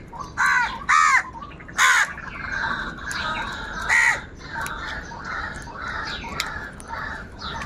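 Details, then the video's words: Crows calling continuously and loudly over food: three rough caws close together, then a fourth after a pause, over a steady bed of chirping from other birds. "Crow Crying Continuously and Loudly |kaka sound and noises of crow birds | Angry kauwa ki awaaz"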